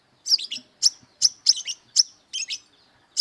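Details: High, sharp chirps from an aggressive brown-throated sunbird hunting for rivals, given singly and in little doubled or tripled groups at a brisk, uneven pace.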